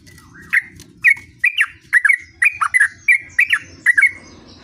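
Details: Rolling gacor ngerol song of a sooty-headed bulbul: paired and tripled whistled chirps, crisp and slightly descending, spaced roughly every half second against a murmuring low background noise.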